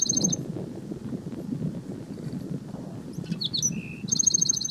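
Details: A Black-throated sparrow sings at Gunlock Reservoir, Washington County, Utah, on 12 May 2016: a few sharp, high notes and a clear whistle, then a fast, bright buzzy trill, over a low, steady rumble.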